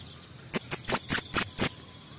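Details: Orange-headed thrush, a male in energetic song used to stir up lazy birds, gives six loud, piercing high chirps in a rapid row, each note sharp and slightly buzzy, after a brief quiet start.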